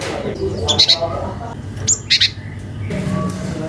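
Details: Cinereous tit calling a rival, natural sound for luring young tits: short paired high notes repeated twice, with one thin falling whistle between them, over low background rumble.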